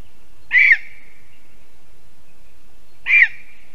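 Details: Returned from Africa to breed, a female lesser spotted eagle calls from her spruce nest in Zemgale, Latvia, on an April 2022 evening. Two sharp, high, slightly downslurred yelps, roughly two and a half seconds apart.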